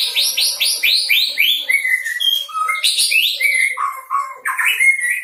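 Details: Young white-rumped shama, just out of the fledgling stage, practising song with borrowed material: a rapid run of rising whistled sweeps, then varied chirps, clear fluting notes and trills in quick succession.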